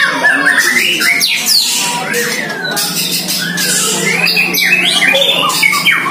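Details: White-rumped shama, one year old, sparring in its first training against a neighbouring shama: rapid mix of swooping whistles, sharp upward sweeps and scratchy chatter, delivered without pause over a steady low hum.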